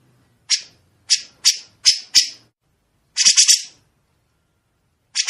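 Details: Grey-cheeked bulbul in a training recording for songbirds to copy, with long sharp, clear rasping phrases. Five short harsh raspy bursts come about every half second, then a longer scratchy chattering burst after a pause. Another burst starts at the end.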